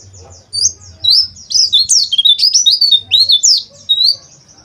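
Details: White-eye known locally as pleci, in rough 'ngeriwik' song: a dense stream of high, scratchy chirps and quick up-and-down whistled notes, strongest in the middle, with a soft low hum beneath.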